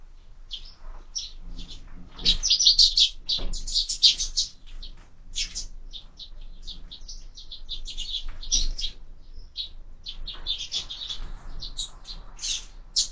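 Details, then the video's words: Several sparrows feeding at a window-mounted feeder keep up a busy, uneven stream of sharp high chirps and tweets, loudest around two to four seconds, with a soft low background hum. "Воробьи в кормушке"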